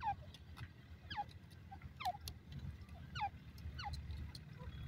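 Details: Francolin calling: a series of clear, sharply falling whistled notes, each sweeping down quickly, repeated about once a second over a low rumbling background.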